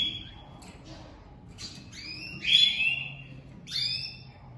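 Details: Domestic canaries put together as a breeding pair, the female crouching for the male on day one; a faint high note, then upward-sweeping chirps clustered near the middle and end, fairly clear over a quiet background.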